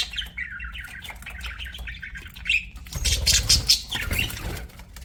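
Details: Budgerigar giving a run of quick, rising chirps in a warbling stream, followed by a louder burst of harsh, noisy squawking and rustling in the second half.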